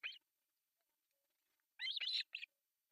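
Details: Osprey chicks at breakfast feeding, three young on an artificial nest in Pohjois Satakunta, Finland, July 1, 2024. One shrill note, a pause, then a squealing, wavering burst and a final sharp cheep.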